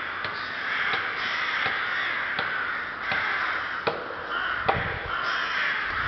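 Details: Ptačí ostrovy nature monument, Chrudim, Czech Republic, 30 May 2011: ceaseless hoarse cawing from rooks, overlaid with repeated crisp clicking knocks about every half second to second.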